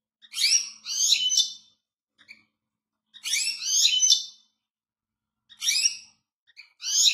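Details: Goldfinch giving three separate bursts of high twittering song, each about a second long, with quiet gaps between.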